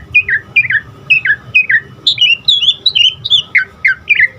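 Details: Training song of an Asian pied starling for caged birds: a steady series of downward-slurred whistled notes, about two per second, shifting upward in pitch partway through, over a quiet hum.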